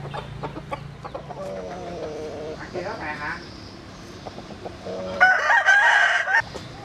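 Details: Jap Cuban bantam cockerel sunbathing in the Vietnamese countryside, crowing at a distance: mixed low background sounds and faint calls, then a hoarse crow of about a second near the end.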